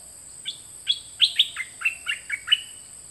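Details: Bird known locally as nok dok taeng, recorded in 2020 as song for teaching young birds to sing; a run of about nine short, bright, sharply descending chirped notes, each roughly a third of a second apart, over a steady high hiss.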